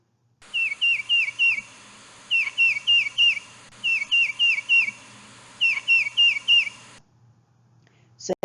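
Tufted Titmouse whistles clear, down-slurred two-note phrases, peter-peter-peter, in runs of four or five with short pauses. A faint low hum, then a brief click at the end.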